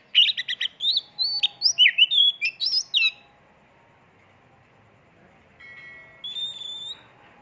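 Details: Kacer, the oriental magpie-robin, singing a full isian tembakan lure track. A dense three-second run of quick chirped and whistled notes gives way to near silence, then a faint steady whistle.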